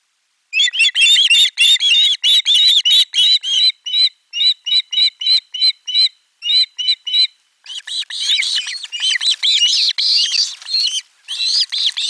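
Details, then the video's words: At a Finnish nest camera on 18 July 2022, young ospreys greet an arriving fish with a loud chorus of shrieks: fast bursts of sharp, high, wavering squeals, a short pause, then a dense overlapping screaming section. "Kala otetaan vastaan äänekkäästi kuorossa kiljuen"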